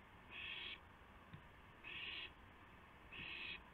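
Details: Three evenly spaced hissing screeches, each near half a second, about one and a half seconds apart, from an owl receiving or bringing a gopher at 2:51 AM on 2 April 2016; faint taps and hum behind.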